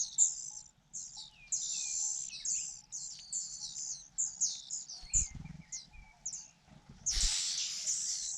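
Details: Nestling Fujian niltavas being fed by their mother: quick high chirps in irregular bursts, a few soft lower whistles, then an intense, raspy, sustained begging chorus near the end.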